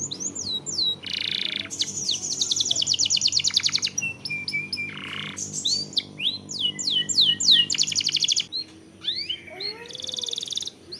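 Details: Canary lure song meant to provoke singing, long-roll style: fast high trills alternate with looping downslurred whistles and a few lower buzzy phrases, delivered continuously without pause.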